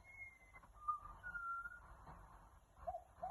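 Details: Australian magpie singing in Australia: clear, pure whistled notes, a high sustained tone, then two lower fluty notes, followed by short soft yelps, with quiet background hum.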